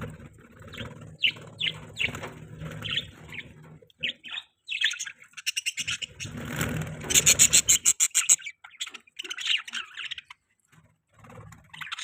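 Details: Young pet budgerigar chirping: bursts of short bright chirps and warbling notes, with a fast run of buzzy, harmonic-rich pulses in the middle, separated by brief quiet gaps and faint low background rumble.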